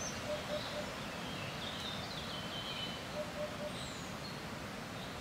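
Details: Eurasian hoopoe giving soft, low, hollow 'oop-oop-oop' triplets, twice about three seconds apart, over steady background hiss from wind and faint higher chirps from other birds.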